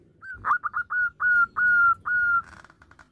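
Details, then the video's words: A local male zebra dove calls to its mate with a soft, mid-pitched cooing phrase: a few quick clipped notes, then several longer level coos, ending in faint trailing notes. "Perkutut Lokal Jantan sedang memanggil Pasangannya"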